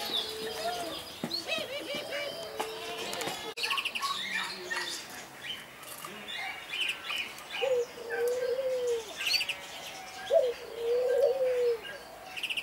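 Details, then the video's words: Displaying Barbary dove (possibly domestic Streptopelia risoria) in an aviary at Stadsboerderij De Hout, Alkmaar, Holland, gives low, rolling, purring coos in drawn-out phrases, with high chirps from other small birds throughout and a sharp click. "Displaying Barbary dove"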